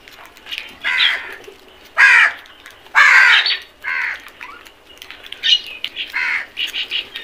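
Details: Crows in a flock calling while feeding, loud hoarse caws repeated roughly once a second, some drawn out and others short, overlapping toward the end.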